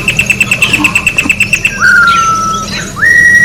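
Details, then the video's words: Orange-backed troupial singing in nature: a regular series of short high pips about five per second, then a long whistle falling gently, then a whistle rising quickly into a sustained steady tone. "Corrupião Cantando na Natureza"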